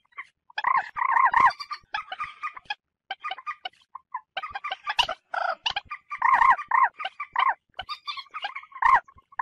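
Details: Common moorhen calls played as a lure for bird hunting: bursts of harsh, nasal, harmonic cackling notes in short rapid series, separated by brief pauses, with some sharper clicks between bursts.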